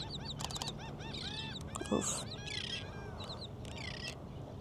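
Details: Several gulls, very active and vocal on a low-tide morning at a Gulfport, Mississippi beach park, call over one another in quick, harsh, arching squeals and yelps over a low surf-like or wind-like rumble.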